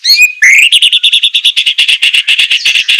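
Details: White-rumped shama, masteran training recording for captive birds, rough 'tembakan kasar' style. A short whistle, then a steady, rapid series of identical harsh notes, about eight per second, held for over two seconds.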